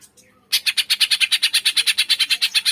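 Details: Green leafbird 'tembakan' song, used to stir lazy birds into singing: after a short quiet start, a loud, relentless string of harsh, high, evenly spaced notes, about eight per second, continues to the end.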